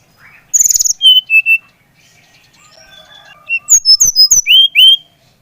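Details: Brown-chested jungle flycatcher of the Bali type, singing loudly to stimulate a young bird to sing: a rapid high buzzy burst, then clear whistled notes, and after a pause a fast run of sharp descending whistles.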